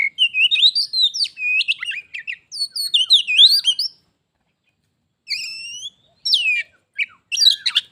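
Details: Caged pet oriental magpie-robin, visited by a wild one, in a singing contest that turns into a fight: rich, varied, fast warbled phrases of whistles and sharp chirps, broken by a silent pause, then more scattered bright notes.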